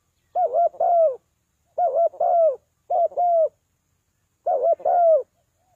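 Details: Spotted dove repeating a call meant to bring birds down: four two-part coo phrases about 1.3 seconds apart, each a short hooting note followed by a longer, falling one, in silence.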